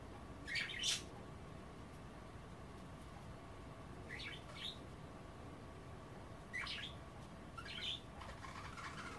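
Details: Pet budgerigars, nibbling kale and water during an offered bath they decline, give four short sharp chirrups spaced a few seconds apart over a steady low hum.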